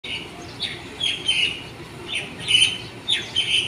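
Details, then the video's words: Morning birdsong at waking time: short high chirps and twittering notes in bursts roughly every half second to second, over a steady low background hiss. "Birds song that wake you up in the morning"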